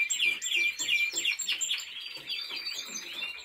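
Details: Brief song of a Timbrado Español canary in training: evenly spaced, fast rolling note groups roughly three per second, fading into softer warbled slurs.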